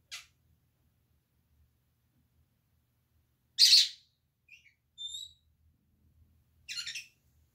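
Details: Senegal parrots, ten kept indoors in a converted office bird room, give harsh, rasping squawks, a loud one midway and another near the end, with a few thin high whistled notes between them.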